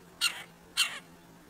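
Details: At a squirrel feeder visited by two red-breasted woodpeckers, a pair of short, grating calls half a second apart, each with a trailing rasp, over quiet background hum.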